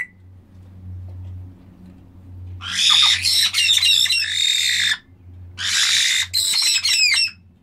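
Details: Black-headed caiques giving loud harsh squawking calls in two long bursts of dense, noisy, overlapping notes, separated by a short pause, over a low indoor hum.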